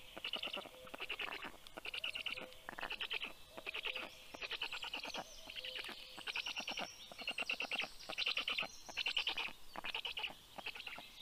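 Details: At a black stork nest, Karula National Park, southern Estonia, early morning of 19 June 2023 as the female brings food to the chicks; rhythmic series of buzzy pulse bursts, with high thin birdsong in the background.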